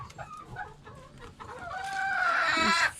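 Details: Small rooster crowing for scratch feed on a good but cold day among hens: a strained, rising crow near the end, preceded by scattered clucks, scratching and rustling.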